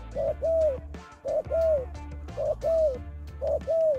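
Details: Spotted dove lure call, known locally as terkukur pikat or chim cu gáy: soft paired hooting coos, a short note then a longer falling one, repeated about once a second over a low steady hum.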